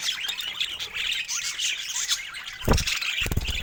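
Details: Several budgerigars sharing fruit chatter steadily in high warbled and squeaky notes, interrupted near the end by two dull knocks or thumps.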